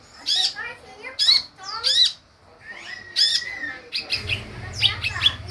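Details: Sunbird luring sound, intended to make birds reply: strident harmonic squawks with sliding whistled overtones repeated every second or so, a drawn-out whistle midway, then overlapping chatter over a rumbling low background.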